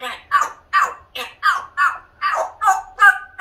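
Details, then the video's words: A 2-year-old African grey parrot with an English accent shouts at the cats to get out, in a run of short, clipped, human-speech-like syllables, about two or three a second, mid-pitched. "African Grey with English accent telling cats off"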